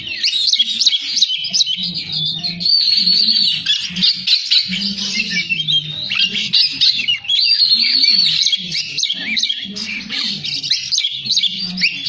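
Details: Oriental magpie-robin in full varied song, a dense nonstop run of high chirps, trills and squeaky notes with no pauses, over a low steady hum.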